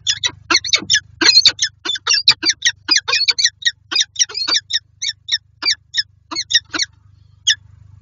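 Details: Peregrine falcons in Lublin, Poland, 18 January 2023, a pair meeting again at their nest box; a long run of loud, hoarse chattering notes, quick at first then thinning to scattered calls, over a faint low hum.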